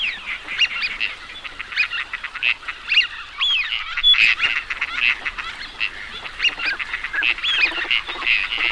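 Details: Flock of teal ducks giving a continuous busy chorus of short nasal calls mixed with thin, clear whistles, many birds overlapping, with louder bursts every second or two and no pause.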